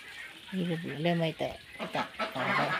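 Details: Ducks offered for sale give low, nasal, flat-pitched honks in a few drawn-out bursts, with people talking nearby.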